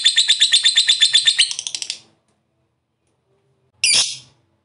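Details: Lovebird chatter: a two-second burst of rapid, harsh high pulses fading out, silence, then one loud sharp squawk.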